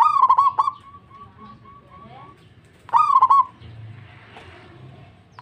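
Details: Zebra dove of a local strain, singing eagerly in response to another: a bubbling stuttered coo phrase trailing into softer beaded notes, repeated about three seconds later as a shorter rolling coo.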